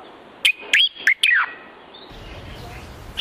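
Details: Common Bulbul from Morocco singing; four quick, loud, slurred whistled phrases within a second, each swooping down in pitch, then quiet background hiss.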